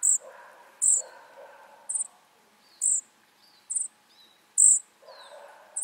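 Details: Flycatcher nestlings calling: short, high, hissing bursts repeated roughly once a second, some followed by thin downward-sliding notes. A faint murmur sits underneath.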